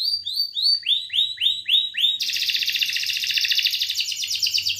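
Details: Belgian canary song used to stimulate females: a series of about eight rising, slurred notes repeated evenly, then a sudden switch to a sustained, fast, rattling trill with high overtones.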